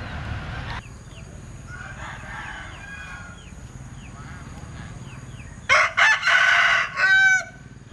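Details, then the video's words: Small birds chirp quietly in a soft background with repeated downward-sweeping notes. Then a Linh Kê rooster bursts into a loud, strange crow of clipped harsh syllables and a long hoarse note near the end. "Tiếng Gáy Độc Lạ. Gà Linh Kê/ Strange Crow Sound"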